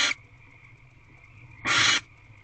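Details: Female barn owl at the door of her nest box, 7:57 pm, 29 March 2023; the tail of one raspy screech, then a full harsh hissing burst about a third of a second long, over a faint steady hum.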